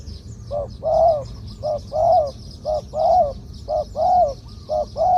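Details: Spotted dove, a decoy-quality bird with a medium-pitched two-kuk 'ku-ang' song style, giving low hollow coos: short paired notes then a longer drawn coo, repeated about once a second over steady insect hiss.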